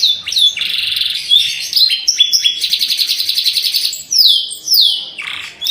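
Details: Atlantic canary, with a long song of unusual phrasing: dense high trills and buzzy rolls, then clear whistled notes sliding downward near the end, sung without pause.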